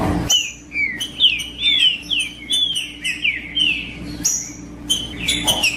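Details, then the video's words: Green-winged saltator (trinca-ferro) singing in the 'macheando' style to warm up and stimulate other males: a series of clear, slurred whistled notes, each rising then falling, delivered in quick succession with brief pauses between phrases. "Trinca ferro Macheando com Trinca ferro cantando Para Esquentar Trinca ferro"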